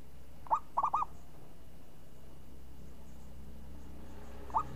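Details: Champion zebra dove, voice described as crisp and swinging, gives a brief burst of three short, rounded coos. After a long quiet pause, one or two more coos begin near the end.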